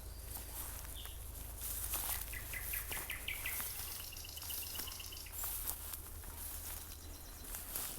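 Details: Common nightingale singing in the evening near fields in Ukraine, a delight for the ears: a distant, faint phrase of rapid repeated whistled notes, then a sustained clear tone, over a low rural hum, rustling and small clicks.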